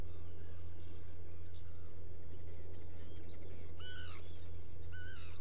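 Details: Black guillemot on a nest-burrow camera at Seal Island NWR, Maine, in the afternoon of 7 January or 1 July 2018: two short, thin, wavering whistles near the end, over a steady low electrical hum and faint hiss.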